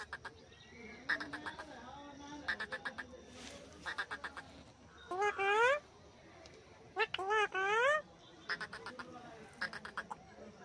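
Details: A pet Alexandrine (hill) parakeet, sitting on a stand outdoors around sunset, mimics speech such as "Har Har Mahadev" and "Sita Ram" in harsh phrases with rising and falling tones, interspersed with short clicky chatter, over faint background noise.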